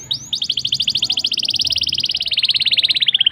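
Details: Rolling black-throated canary trill used as a lure for canaries. After a short upward slur comes a fast, unbroken chain of bright repeated notes lasting three seconds, drifting slowly lower in pitch.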